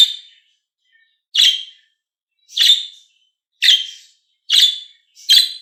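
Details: A female budgerigar with red eyes gives short, harsh chirps, repeated roughly once a second.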